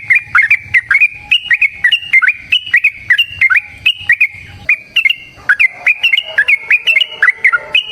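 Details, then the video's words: Yellow-vented bulbul giving a long fighting song, kept as a lure for other birds: a steady stream of quick whistled chips swinging up and down, about three notes per second, continuous for several seconds. "TRUCUKAN GACOR TARUNG ROPEL PANJANG"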